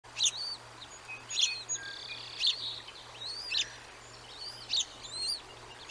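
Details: Bald eagle calling: thin, high, squeaky chirping notes with slurred up-and-down inflections, repeated roughly once a second at uneven intervals over a steady low hum.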